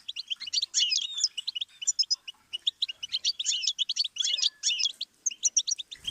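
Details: Goldfinch singing as a stimulus for teaching chicks and songbirds: quick, cheerful high twitters in dense clusters with short gaps, scratchy buzz notes threaded through, and a run of crisp separate chips near the end.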